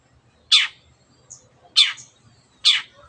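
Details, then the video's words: Shrike (cendet) kept as a singing bird, calling to provoke other birds into song: harsh, sharp downward notes given singly at uneven intervals, roughly three in three seconds, with a faint short high note between. "CENDET GACOR MENJADIKAN YANG DIAM IKUT GACOR"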